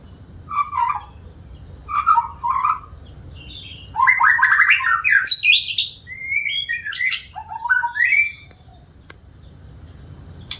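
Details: Frequent singing from a white-rumped shama held for sale, with repeated low whistled notes, then a loud stretch of rich, rasping warbles and high squeaky flourishes, separated by short silences.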